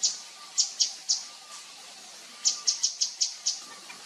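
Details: Wild Javan fulvetta: short, very high, sharp chip notes given in two loose series of about four and seven, over a steady hiss of forest background noise.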